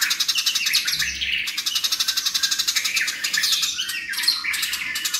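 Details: House sparrows fighting, captured for training cage songbirds: rapid shrill chirping pulses several times a second in a dense, loud chatter, with bright twittered notes layered over the steady rhythm throughout.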